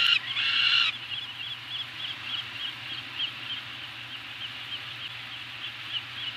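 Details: Two Peregrine falcons during a food drop at Anacapa, 28 May 2018: one loud harsh wail opens, followed by a quieter run of short, rapid, scratchy notes, about three per second, over a low hum.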